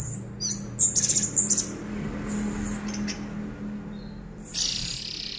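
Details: Caged orange-headed thrush keeps singing from a single perch despite the cage being shaken: quick stuttering chips, then two drawn-out high whistles a couple of seconds apart, with a soft low hum underneath.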